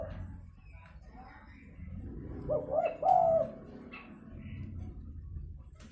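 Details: Spotted dove fighting call meant to lure birds down: a short, rolling coo near the middle, set against steady background hiss and rumble with faint clicks.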